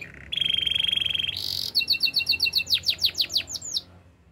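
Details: Canary song meant for coaching young singers: a fast pulsing trill, a brief harsh burst, then crisp repeated dotted notes leading into about a dozen loud rising whistled sweeps.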